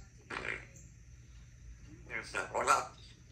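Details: Three-year-old female Congo African grey parrot talking in a country home: a short speech-like word, a pause, then a quick run of three or four voiced syllables with faint background hum.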